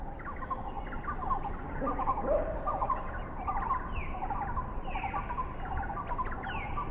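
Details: Wreathed hornbill giving short, harsh, barking notes in quick uneven bursts over a steady low rumble, the bird heard flying away at the very end; recorded in a Thai national park (Khao Yai, Doi Intanon, Doi Suthep-Pui or Chae Son).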